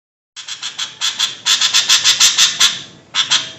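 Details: Noisy sooty-headed bulbul calls used to lure birds: a rapid series of harsh, broadband chattering notes, about three per second, in two bursts separated by a short pause.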